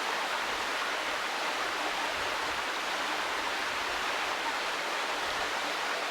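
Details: Steady, dense rushing of flowing water, like a stream or waterfall, fills the recording with broadband hiss and no animal voice.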